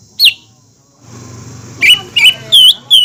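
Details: Green leafbird calling in a lure recording meant to provoke other leafbirds: a few loud, high, clipped whistled notes spaced about a third of a second apart, over a faint low hum.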